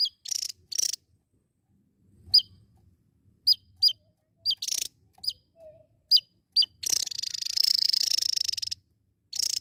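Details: Javan tesia (Tesia superciliaris), song.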